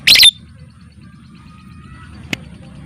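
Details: Lovebird, ngetik and ngekek lure meant to trigger song or mating: one short, loud, rasping squawk, followed by a faint click.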